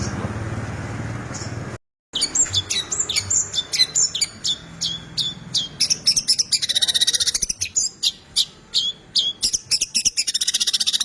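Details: Long-tailed shrike in 'gacor full isian' song. After a short pause, a long, varied run of sharp whistles, buzzy slurs and fast chattering trills follows, very high-pitched and almost continuous.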